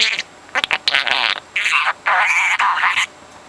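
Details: Four-month-old pet parrot chattering non-stop, mimicking words and overheard conversations. Rough, voice-like bursts come in short broken phrases with brief pauses between them.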